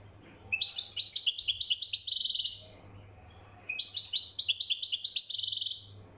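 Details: Moroccan European goldfinch, described as mkhantar, singing two bursts of rapid tinkling, twittering notes with buzzy slurs, each about two seconds long and separated by a pause, over a faint low hum.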